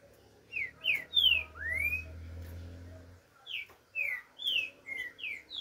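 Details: Green-winged saltator song: clear whistled phrases of short rising and falling slurred notes, several loud upswept whistles repeated in bursts, with a low hum in the background.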